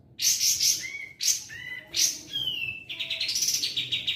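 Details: Sooty-headed bulbul in lively song, short bursts of bright notes each ending in a lower whistled slur, then a rapid rippling series near the end.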